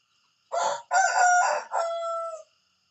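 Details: A rooster crows in the morning, a clear four-part call: two short, rough syllables, then a held, strained note ending in a long, steady tail. The background is silent.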